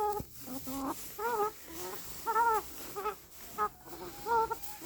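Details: Chicken calls: clipped, harmonic squawks and clucks in irregular bursts, a few drawn out and slightly rising, with steady background noise.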